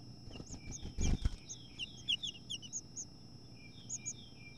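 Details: House finch at a nest where two females fight over it and the new female evicts the nearly fledged chicks; high, thin chirps rise and fall in quick, uneven bursts, with a brief low thumping noise near the start.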